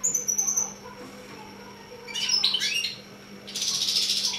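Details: Mule finch of six months producing a short twittering phrase followed by a buzzy, rattling trill, with high thin notes at the start.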